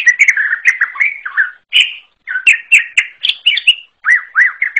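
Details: Forest-type greater green leafbird (cucak ijo alas) giving a lively, unusual song of varied whistles, slurred chatter and a few clear rising-falling notes in short phrases. The background is quiet.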